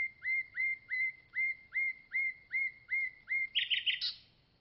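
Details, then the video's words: Common nightingale singing: a run of about ten identical slurred whistles rising to a steady tone, evenly repeated roughly three per second, ending in a brief burst of rapid buzzy chirps. "Nightingale Song"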